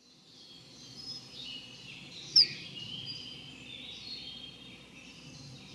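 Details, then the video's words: A common kingfisher on the Dřevnice river, 19 April 2019, gives a single shrill, high, sharp, slightly falling whistle above a steady hiss like rushing water. "Ledňáček říční (Alcedo atthis),Eisvogel,Common kingfisher"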